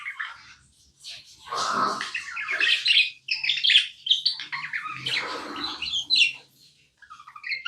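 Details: Pet budgie chatter, tame bird indoors: bursts of squeaky chirps and raspy warbles come in uneven clusters with short gaps, mixed with a few lower, broader rustling sounds.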